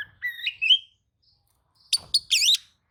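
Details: Oriental magpie-robin responding to another magpie-robin's song with a rising whistled phrase, then after a pause a quick burst of harsh, buzzy, squeaky notes.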